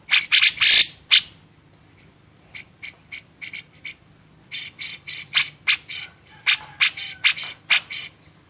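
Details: Grey-cheeked bulbul on a master recording for training songbirds: a cluster of loud, grating bursts, a quieter stretch of short clipped notes, then renewed rapid rasping chatter.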